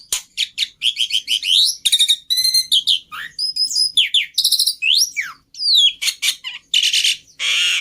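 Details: Black-winged starling lure and master song with full fill: dense mix of chirps, rising and falling whistled slurs, buzzy trills and a harsh rasping note at the end.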